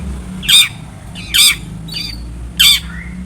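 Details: Long-tailed shrike sounding off, played to prompt another shrike to call back: three loud, rasping squawks spaced roughly a second apart, each descending slightly, over a steady low background hum.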